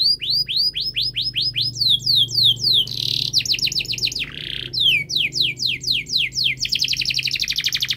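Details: Canary song for training reluctant canaries to sing: series of rising swept notes, descending notes, two rough buzzy bursts, then a fast even trill of sweeping notes; low steady hum in the background.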